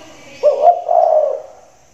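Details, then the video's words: Spotted dove with a big voice, kept in a hanging cage during the rainy season, gives a low hollow coo: a short note then a longer drawn-out purr, steady in pitch. "tekukur suara besar, lagi manggung di sangkar layang"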